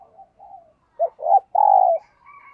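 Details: Spotted dove kept as a decoy, cooing in the morning to draw in wild doves. Soft low coos build to a short burst of strong, hollow notes ending in a long drawn coo, with faint higher tones after.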